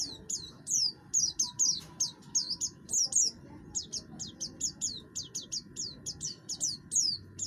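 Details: Song of an oriental white-eye, buxtoni form, with the rough voice meant to draw other birds into singing. A fast, nearly continuous string of piercing downslurred chips runs over faint low hum.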